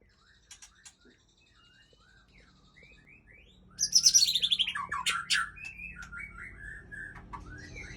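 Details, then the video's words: Aceh white-rumped shama, a breeding bird, singing: soft scattered whistled notes, then a loud burst of rapid, varied high trills and chattering phrases that fades into quieter whistles. "Murai Aceh # Induk Super"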